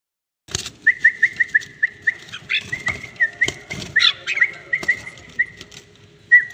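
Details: Tame red-whiskered bulbul giving a run of short, bright whistled notes at a steady pitch, some slurring downward, repeated about every quarter second, interrupted by sharp clicking and rustling noises.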